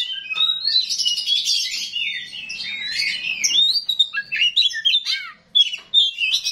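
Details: Kacer rawit oriental magpie-robin in rough, continuous song: dense chattering and whistled slurs, turning into separate sharp phrases with short gaps near the end.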